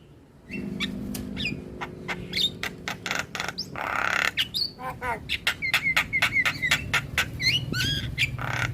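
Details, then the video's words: Starling lure song for drawing in starlings and making quiet birds sing: dense sequence of sharp clicks, whistles and squawks, roughly four elements a second, over a steady low hum. "Pancingan Segala Jenis Burung Jalak - Jalak Malas Bunyi / Jalak Pikatan Auto Nyaut"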